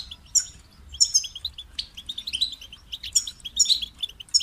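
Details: Goldfinch song in short twittering bursts, bright tinkling notes mixed with liquid chirps, separated by brief gaps; sung as a model to encourage other goldfinches.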